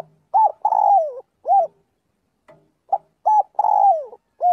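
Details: Daily voice practice of a spotted dove calling the flock. Two matching phrases of a short coo, a long note that bends downward and a round falling coo are separated by a quiet gap, with a faint low hum early on.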